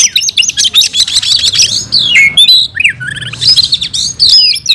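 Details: Fighting song from an oriental magpie-robin, called kacer, unloading its repertoire: a rapid, dense twitter opening, then sweeping whistled slurs, followed by more fast jumbled high notes.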